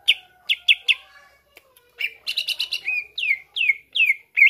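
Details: Song of a greater green leafbird, played to stir other birds to sing; a few sharp chips, then buzzy trills and a series of downslurred whistles.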